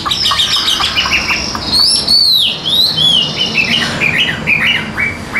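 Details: Chinese hwamei, a tame caged bird that sings when its cage is hand-carried, gives rich looping whistles that rise and fall, followed by quick chirped notes over a faint background hiss.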